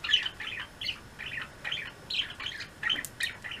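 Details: Pet budgerigar flock in the afternoon: soft, fairly quiet chattering chirps in small clusters about every quarter second, with a couple of sharper high notes near the end.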